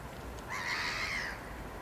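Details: Mew gull of the nominate subspecies Larus canus canus, recorded in Brussels, Belgium, in February 2012: a single drawn-out, slightly nasal mewing note lasting under a second, fairly level in pitch, over faint background hiss.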